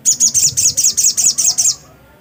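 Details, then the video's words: Black-capped white-eye singing energetically: a fast run of nine sharp, high, downslurred chirps, evenly spaced about five per second, then stopping abruptly into quiet background. "burung sogok ontong GACOR..!!!"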